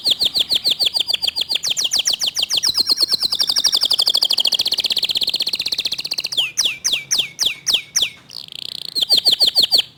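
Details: Local canary pouring out a fast, dense, clear song for ten seconds: long runs of rapid repeated trill notes changing pitch, then slower loud downward sweeps and a final quick trill.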